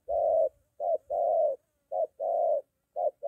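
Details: A molting decoy spotted dove being trained near home calls back to a wild dove. Mellow, low coos alternate between a brief note and a longer drawn-out one, in a steady series.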